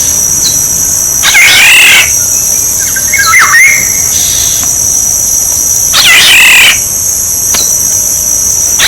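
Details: Black-naped oriole decoy recording: a loud rasping, wavering call, a brief liquid whistle, then another rasping call about five seconds later, set against a constant shrill buzzing background.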